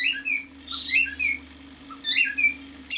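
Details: Male cockatiel, half a year old, kept as a pet, sings a short whistled phrase: bright chirps and slurred notes repeated twice, with a steady low hum in the room behind.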